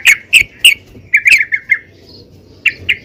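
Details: Female yellow-vented bulbul calling to draw other bulbuls into singing; short harsh notes around the upper-middle range, clustered in a few bursts with pauses between them.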